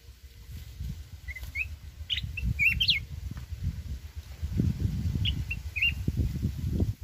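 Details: Red-whiskered bulbul of the mountain type singing forest-style song for trap fighting: scattered sharp whistled chirps and quick rising flourishes in two bursts, partly masked by heavy low rumbling noise throughout.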